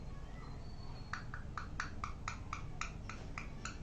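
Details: Parrot calling indoors: a rapid series of short, evenly spaced chirping notes, about four per second, following a faint thin whistle at the start.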